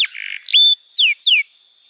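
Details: Short canary phrase from a tutor recording for young birds: a buzzy note, a clear held whistle, then two slurred whistles falling in pitch.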